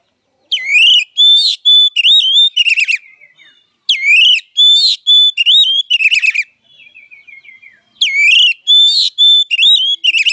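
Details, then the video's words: Oriental magpie-robin giving a fighting song: loud whistled phrases that rise and fall sharply, mixed with buzzy trills, delivered in three bursts about every three to four seconds, with softer chattering notes between bursts. "Suara Kacer Petarung!!"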